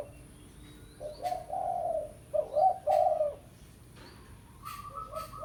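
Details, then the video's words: Spotted dove (tekukur, pesom type) calling a rival, used as a lure: two loud, low, husky cooing phrases, each a short lead note then a drawn-out coo, followed by a thin steady higher whistle-like tone. "Tekukur Pikat Suara Memanggil Lawan"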